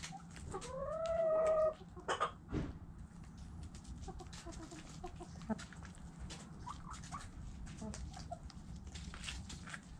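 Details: Rooster crowing: a strong, rising then held harmonic crow lasting over a second at the start, followed by a few faint clucks, clicks and knocks over low rumbling background.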